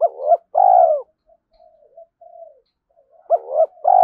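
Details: At dawn a spotted dove coos to incite fighting and attract rivals: a loud double note and long coo open, a stretch of faint low murmuring follows, then another loud phrase begins.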